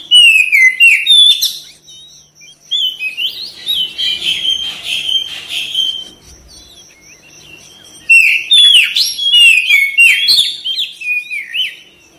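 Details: Oriental magpie-robin song used as a therapy recording to prompt fast, lively singing and tail-spreading: bursts of rich whistled and slurred phrases, rising and falling, with a quiet gap mid-clip and a steady high thin tone throughout.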